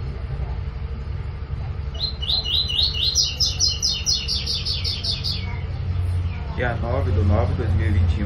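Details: Double-collared seedeater song of the TUI TUI style, used to teach young birds to sing: a fast run of about a dozen bright, repeated chirping notes lasting some three seconds, then lower sliding sounds, over a steady low rumble.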